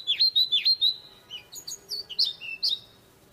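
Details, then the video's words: Seychelles magpie-robin singing five quick, swooping whistled notes, then a varied run of higher chirps and slurred phrases; nothing else stands out. "Birds chirping sound effect - Beautiful bird singing and dancing| Seychelles magpie-robin"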